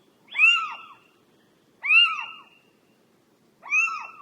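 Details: Little owl calling at night: three loud, downslurred, nasal mewing notes with a harmonic ring, spaced about a second and a half apart, against a quiet background.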